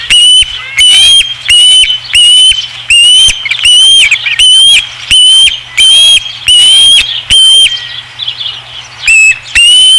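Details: Osprey at the Dunrovin Ranch nest on 5 August 2016 gives a long, steady run of piercing whistled notes. Each is slightly upslurred and repeated roughly every half second, with a brief pause near the end.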